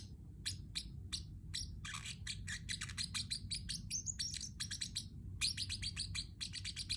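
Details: Pacific parrotlet kept as a pet, chattering: sparse sharp chirps that speed into a dense, excited run of high tweets and slurred notes, then ease back to spaced chirps, low hum behind.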